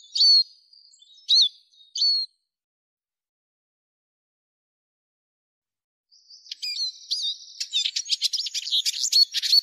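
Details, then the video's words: Arabian babbler with three short, high, bent notes at the start, a few seconds of silence, then a busy, scratchy jumble of quick high notes building to the end. "صوت نعير عصفور النعار"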